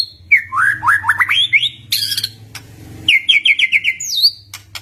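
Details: Shama song used as a lure to provoke a silent white-rumped shama into answering: a run of rising slurred whistles, a burst of harsh buzzy notes, then a quick series of five clear repeated whistles and a high twisting note.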